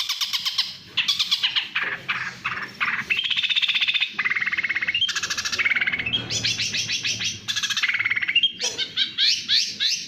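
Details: Champion long-tailed shrike in rapid 'speed' singing: harsh chatters, squeaky whistles and rattled trills alternating in short bursts, some phrases dropping in pitch, with brief gaps between outbursts.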